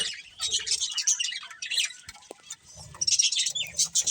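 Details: Breeding pair of budgerigars kept as pets, giving busy high chirps and chatter in uneven bursts, with brief quiet gaps and faint low patter beneath.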